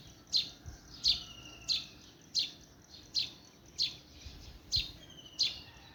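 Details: Bird chirping: a crisp high chirp repeated steadily, about every three-quarters of a second, each sometimes followed by a thin level whistle, over quiet background hiss.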